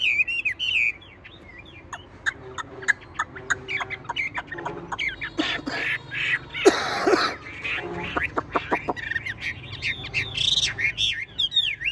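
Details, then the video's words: Caged tame Chinese hwamei singing amid clatter: whistled slurs at the start and end, with many sharp clicks and a loud noisy burst in the middle, perhaps from the shaken cage. "Họa mi thuần đét đẳng cấp hót như máy bộ cực đẹp lắc lồng vẫn hót"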